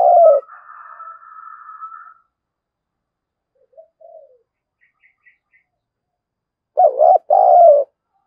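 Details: Spotted dove used as a fighting lure, 'giọng thổ' voice; opens with a low coo and a thin sustained higher tone, then quiet, ending with a clear two-part deep coo, wavering then long.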